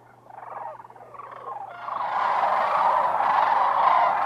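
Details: Thousands of sandhill cranes in winter at Whitewater Draw Wildlife Area, southern Arizona. A few scattered rattling calls swell after two seconds into a dense, steady roar of many cranes calling together.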